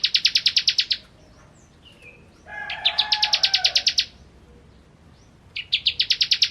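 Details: Bar-winged prinia delivering three runs of rapid, sharp, high-pitched repeated notes, like a fast metallic trill, separated by short pauses; a lower droning tone sits under the middle run.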